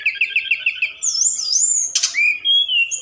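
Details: At night, a forktail lure call: a quick string of repeated chirps leads into a long, wavering high whistle, a brief buzzy burst, then a rising clear whistle.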